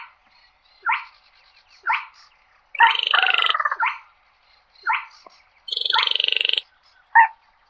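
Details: A flock-gathering call of a slaty-breasted rail: single rough, falling notes spaced about a second apart, broken twice by long, buzzy, rattling bursts with a thin, high-pitched edge.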